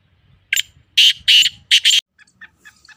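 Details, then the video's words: Black francolin call: a grating series of loud raspy notes, a short one followed by two long ones and a quick doubled ending, then faint scattered chirps. "KALA TEETAR KE AWAZ"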